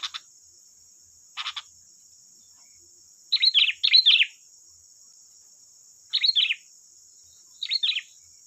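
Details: Sooty-headed bulbul singing to provoke untrained birds into calling back: paired short warbled chirps repeated at irregular gaps, preceded by two sharp clicks, over a steady thin high-pitched tone.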